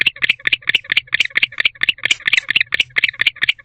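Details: Courting male barn owl in an owl box, 6:49 pm on 27 October 2023, calling for a female to join him. Short rasping chirps come in quick pairs, roughly four per second, dry and rattle-like.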